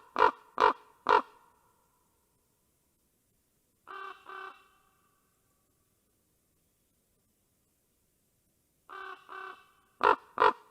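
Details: Ravens call back and forth at a nest in Karula, Estonia, on 19 August 2023. Three sharp loud croaks open the exchange, followed by softer, fainter pairs of throaty calls from farther off, then two more loud croaks.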